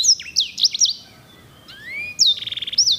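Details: Edel/herda sanger singer canary, valued for its luxurious rolls: quick high whistled swoops, a pause with soft rising slurs, then a fast pulsing roll of about ten even notes ending in a high whistle.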